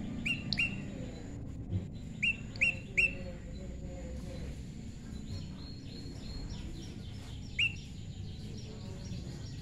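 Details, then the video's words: A tame, naturally paired prinia gives a cluster of sharp, bright upward-flicked chirps early on. A faint, rapid, higher trill series follows, with one more chirp near the end. Constant low rumble throughout. "prenjak lumut jodohan alam"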